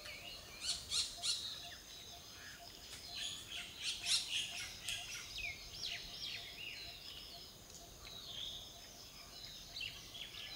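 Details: Blue-winged parakeets, also called Malabar parakeets, in southern India's Western Ghats. Quieter screeching calls come in loose clusters of sharp, high, rasping notes, strongest around the first and fourth seconds, over a soft natural background.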